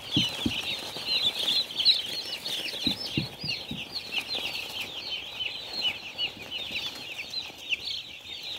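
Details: Farm chicks peep rapidly and shrilly, many thin chirps layered at once, louder near the start, with several dull thumps in the first few seconds.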